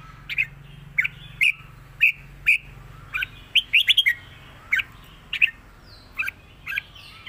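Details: A red-whiskered bulbul repeats a clear southern Thai master song with trilled phrases, meant for training other birds. Sharp whistled notes come every half second or so, with a rapid burst of rising chirps midway, over a faint low hum.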